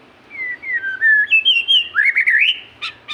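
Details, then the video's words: Magpie-robin in full song, drawing out long sweet whistled notes that glide down and then up, followed by a rapid warbled stretch of rising slurred notes and a couple of sharp clicks at the end. "burung murai gacor"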